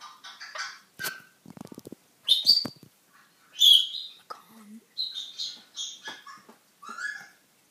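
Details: A pet African grey parrot, new to its home, chatting: a run of short squawks, clicks and whistled chirps with sharp rising notes, some speech-like babble between bursts, pauses of a second or so between phrases.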